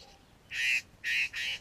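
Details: Satin bowerbird near its bower, filmed on a GoPro Hero 3: three loud, rasping squawks in quick succession, each roughly a quarter second long, with a quiet background.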